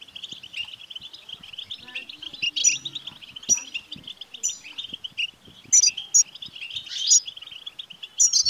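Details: European goldfinch twittering song aimed at prompting a caged male goldfinch to sing, a steady chatter of quick notes broken by loud high ringing bursts, especially toward the end, over light background rustle.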